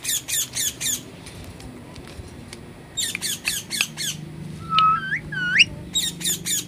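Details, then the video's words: Natural parrot calls: rapid series of harsh, grating squawks in clusters, broken by a couple of clear rising whistled notes midway before the squawking resumes. "Natural Parrot sounds"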